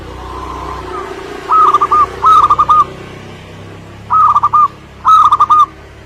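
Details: Local Indonesian zebra dove in lively song: soft, rapid rolling coos in short bursts, two pairs of phrases a few seconds apart, over a constant low background hum and occasional faint chirps.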